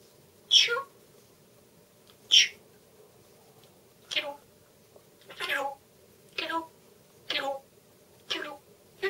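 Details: Young grey parrot kept as a pet, vocalising indoors: eight short bright syllables with a sharp onset and brief harmonic tail, repeated about once a second against a quiet background.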